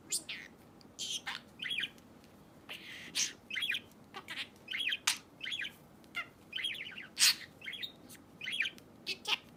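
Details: Pet budgerigar chatter, shared to help search for lost birds: rapid warbled chirps and sharp ticking clicks repeated in quick bursts, with brief pauses between phrases in a quiet room.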